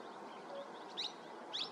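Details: Grey-necked bunting (Emberiza buchanani) at Ratapani Wildlife Sanctuary, Madhya Pradesh, on a January morning around 8:50 AM, giving two short, high, sharp call chips about half a second apart over a steady background hiss.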